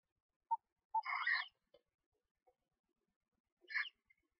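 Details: Screech owl owlets aged one to two days, barely able to lift their heads, chirping in a nest box while being fed by their mother; a few soft ticks, then a longer raspy chirp and a shorter one near the end.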